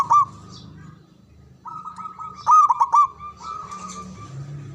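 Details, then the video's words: Loud local zebra dove from Java, kept as a caller that makes rivals answer: sharp staccato coos at the opening, then a sustained level tone with a cluster of four quick bright notes midway, low rumble beneath. "Pendobrak Perkutut Bisu🔇 Malas Bunyi 🔊 Stress Kembali Gacor"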